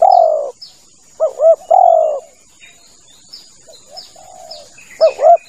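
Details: Hunting lure recording of a male spotted dove: wavering rising-falling double notes and long low coos, a quieter softer coo in the middle, faint high chirps throughout and a steady hiss.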